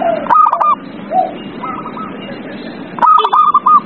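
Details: Zebra dove song for prompting a reluctant singer: a stuttered burst, soft lower coos, then another rapid run of clipped notes, over a low steady hum.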